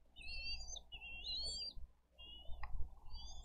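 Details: Bald eagles at a Dade County wildlife rescue nest cam, 22 April 2023, as the parents bring fish and feed the eaglets. Long high wavering whistles come in a run of three, a pause, then two more over a low rumble of wind.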